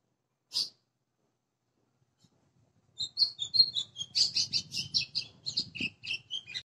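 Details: Caged white-throated seedeater (golinha) singing in the açoitando style, a fast run of bright chirped and whistled notes repeated under two a second after a brief opening note and a pause; low background rumble.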